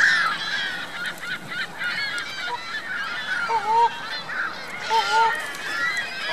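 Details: Geese and goslings at Virginia Lake, Reno, 2 May 2013, a constant high peeping chorus with two lower, wavering nasal calls standing out, around four and five seconds in.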